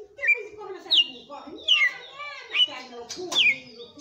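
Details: Red-cowled cardinal delivering its strong 'açoite' song, bright whistled notes dropping in pitch, repeated roughly every three-quarters of a second, with soft low voices murmuring behind.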